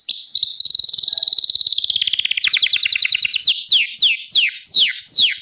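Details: A Gloster canary sings a high, smooth trill that accelerates into rapid notes, then slows into loud, sweeping downslurred whistles about twice a second.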